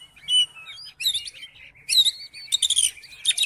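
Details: Oriental magpie-robin singing to stir a lazy magpie-robin into song: high sliding whistles, then dense scratchy bursts of chirps repeated in quick clusters.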